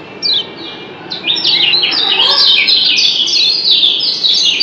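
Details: Kecial kuning, a white-eye of Lombok, answering in 'doble ciak' fashion. A lone high chirp opens, then a dense, rapid burst of thin, squeaky descending notes runs on without a break.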